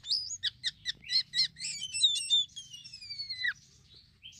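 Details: Black-winged myna phrase for luring birds: about eight quick chirps in a row, then two long clear whistles sliding steadily downward together before fading, followed by a faint high note.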